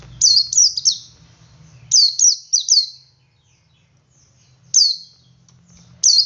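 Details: Male Oriental white-eye singing ngalas, intended to set other white-eyes singing: bursts of three or four shrill, quickly falling chirps, some softer single notes between phrases.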